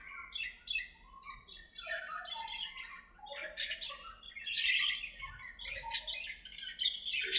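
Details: Budgerigars playing and chattering in their aviary, a steady stream of mixed whistles, chirps and scratchy squawks building louder toward the end.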